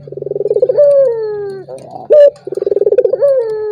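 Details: Turtle dove lure call used to provoke a rival that is reluctant to call: a rolling, pulsed coo that swells in volume, then a long, slowly falling glide, a short loud flat note, and the rolling coo again.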